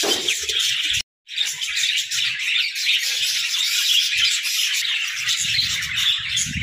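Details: Playful pet budgerigars in a shared hut: continuous high, twittering flock chatter with scratchy warbles, cut off for a moment near the first second, and low rustling near the end.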